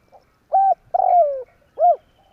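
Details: Spotted dove used to lure birds into a trap, tarik akar call: one short hollow coo, a long coo gliding downward, then a final rounded coo, clear and close with no other sounds.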